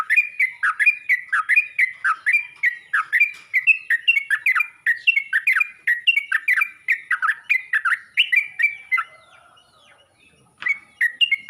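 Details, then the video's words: Yellow-vented bulbul calling to other bulbuls: a fast, continuous run of bubbly, liquid notes sliding up and down, chattering on for about nine seconds before breaking off, then a brief resumption near the end. "Burung trucuk ini pandai memangil burung trucuk lain"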